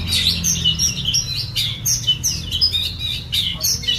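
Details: Varied rapid chirping and warbling from a white-rumped shama, notes tumbling and overlapping at high pitch, against continuous low background hum.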